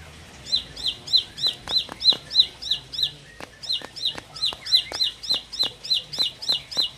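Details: Four-month-old bar-winged prinia, said to be growing more of a fighter, delivers a fast run of sharp, high chirps, about three per second, each a bright downward-bending note, with faint clicking taps in the background.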